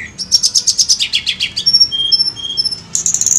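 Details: Tledekan gunung bird lure song: a fast descending series of about fifteen bright chirps, then sustained thin high whistles at several pitches, closing with a quick chattering burst.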